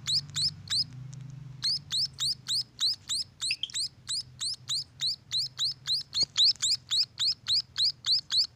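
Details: Young munias kept at a bird farm calling in a fast series of thin, upswept chirps about three and a half per second, broken by a short pause near the start, over a soft low rumble.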